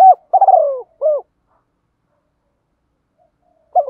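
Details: Spotted dove kept as a decoy, cooing in the forest to draw wild doves: one full phrase of a short coo, a long burred downward-sliding roll and a clipped closing coo, then silence before the next phrase begins.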